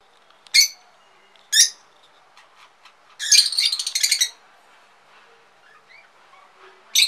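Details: Pet lovebirds, rosy, lutino, white-faced and pied, giving sharp, high, shrill chirps one second apart, then a fast chattering burst of squeaky notes, a short quiet stretch, and another piercing chirp at the end.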